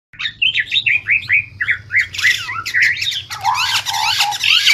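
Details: White-rumped shama, a song offered as training material for other songbirds, singing a fast run of whistled, slurred notes sweeping up and down, then turning harsher and buzzier with dense scratchy phrases toward the end; a low hum underneath.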